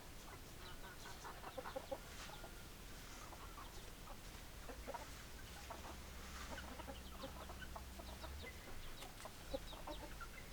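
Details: A group of hens and roosters clucking continuously, with many short, overlapping notes in loose irregular runs and a few sharper high clicks. A low droning hum persists underneath, and no crowing is heard.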